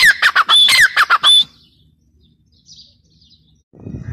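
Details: Grey partridge (dakhni teetar) giving a short burst of squawky calls with a high whistled note for about one and a half seconds, followed by near silence and a faint low rumble at the end.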